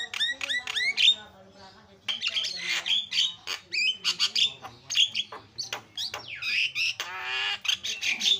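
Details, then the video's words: Javan myna with a loud, busy chatter: quick rising notes, buzzy rasps and squawks, and a dense run of varied phrases with brief pauses. "SUPER BERISIK JALAK KEBO SUARA ISIAN"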